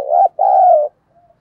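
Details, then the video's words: Spotted dove cooing to provoke fighting: two low, mellow coo notes, a short one then a longer, slightly falling one, followed by a faint distant coo. "cu gay kich boi nhanh noi gù. cu gáy thúc đấu"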